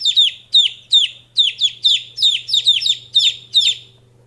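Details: Young chicken peeping: shrill, descending cheeps, some doubled, about two or three a second, over a low steady hum.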